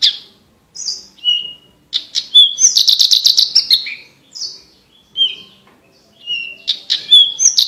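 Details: Singing branjangan for training competition birds: separate whistled phrases with short silences between them, broken by a loud buzzy rattle of rapid pulses, then more chirps and a final trill.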